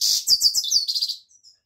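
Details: European goldfinch giving a brief run of bright, buzzy, twittering high notes that fall slightly in pitch over about one second, then a few faint chirps.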